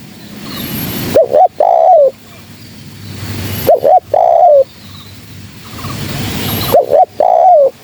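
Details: Female spotted dove lure call for trapping: three similar phrases about three seconds apart, each two quick rising coos followed by a longer mellow coo that drops in pitch, over faint hiss.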